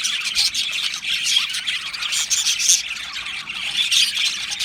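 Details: Australian budgerigar colony in an aviary chattering and chirping, a continuous blend of many high squeaky warbles and short squawks from numerous birds, steady and busy throughout.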